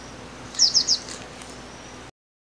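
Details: Zidedê calling with three quick, very high, thin chirps in close succession, followed by fainter high notes over a steady hiss.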